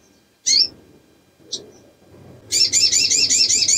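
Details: Female little spiderhunter in breeding condition, calling to lure males: two isolated high sharp chirps, then a fast, steady run of high, buzzy repeated notes, about three per second, over a low background hum.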